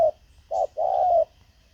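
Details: Decoy spotted dove used for luring wild birds: a brief low, soft coo phrase of one short note, a pause, then a longer, smooth hollow coo in a quiet setting.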